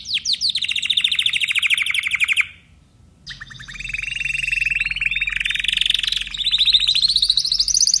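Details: Timbrado canary with a fast, evenly pulsed high trill, a one-second silence, then a long buzzing roll. The roll climbs gradually and ends in a higher, rapid trill.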